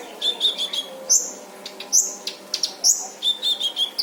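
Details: Loud brown-throated sunbird song used as a training model: spaced, piercing high chirps about every second, brief twittering runs between, over a soft constant hum.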